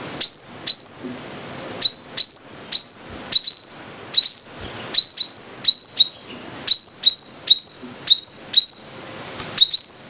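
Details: Sunbird called five-colored sunbird locally in Vietnam: sharp, high upslurred notes, each ending in a short buzzy trill, repeated in quick bursts about every half to one second, fairly loud over a quiet background.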